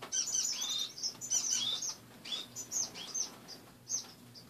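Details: Pet finches in an indoor cage in the morning, perches mostly removed for cleaning: a dense opening twitter of high notes and curved whistles, then sparser single chirps, soft hum behind.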